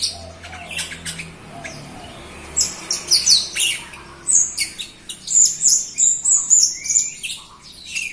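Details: Jalak Rio myna singing energetically to stir other, quieter Jalak Rio birds into song; quiet scattered chirps at first, then a loud run of rhythmic squeaky whistles and harsh notes over background hum.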